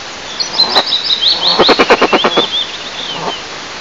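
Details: Eastern imperial eagles, a breeding pair incubating at a nest roughly 20 m above ground in Tatarstan, Russia; a short string of about eight rough, clipped barks under faint, high songbird twittering.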